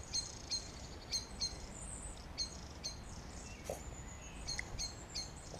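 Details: A common blackbird in a young woodland copse near Birkenhead, Wirral, England, gives sharp metallic chinks about every half second while mobbing a jay carrying a baby bird, with thin high whistles from other birds.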